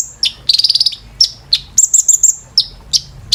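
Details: Kolibri ninja, Van Hasselt's sunbird, singing a bright high therapy song for caged birds: a quick rattled trill of about eight ticks, then sharp separate chips and a shrill sustained whistled note.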